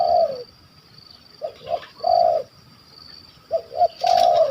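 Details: Spotted dove targeted by hunters in Malaysia, described as having a stuttering, big voice with a kuk 1 2 pattern: deep, hollow coos in short double notes followed by a longer drawn coo, repeated with gaps.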